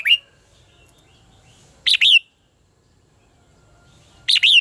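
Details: Red-whiskered bulbul in competitive song, used as a training lure. Three short bursts, each of two or three bright whistled notes with quick up-and-down inflections, are separated by silent gaps of about two seconds.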